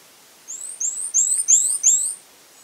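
Fawn-breasted tanager giving five very high, thin, slightly rising whistled notes in quick succession, about three per second, with a quiet background.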